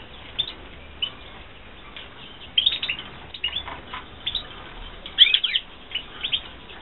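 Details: European goldfinch (Carduelis carduelis) from a 2016 captive breeding, song: quick tinkling twittering in scattered bursts with liquid chirps and short trills over faint hiss.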